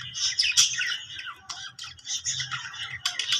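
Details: Budgie chattering contentedly, a jumble of quick squeaky notes, clicks and short whistles running in bursts.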